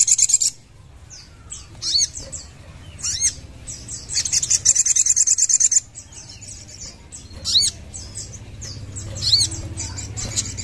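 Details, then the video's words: Lively sogon song built from high chirps, down-slurred whistles and a quick run of rapid clicking notes in the middle, separated by short pauses over a faint low hum. "Sekali Putar Sogon Langsung Ikut GACOR"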